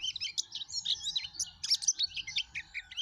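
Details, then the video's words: Yellow-breasted white-eye, pleci dada kuning, in lively gacor song: rapid high twittering chirps and short warbled notes run continuously with a faint low hum beneath. "suara kicau plece dada kuning gacor"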